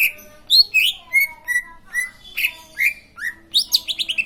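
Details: Green leafbird singing a varied, lively phrase of slurred whistles and chattering notes, some rising and some falling, ending in a fast burst of bright twittering; clean background.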